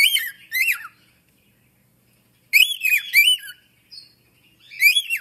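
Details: An African grey parrot voices clear, ringing syllables that bend up and down. Two notes open the clip, a three-note phrase follows after a silent gap, and a single call comes at the end.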